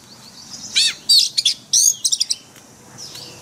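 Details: Caged white-rumped shama in forest-style song used for daily training: a handful of bright, high whistled and trilled phrases packed into about a second and a half, then quiet.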